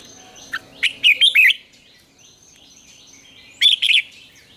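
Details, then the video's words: Red-whiskered bulbul morning training song in the wild double-note style: a tight burst of quick, bright warbled notes, a pause, then a shorter two-note reply phrase, with soft chirping behind. "luyện chào mào hót sáng, Ép chào mào hót âm kép già rừng hay tuyệt!"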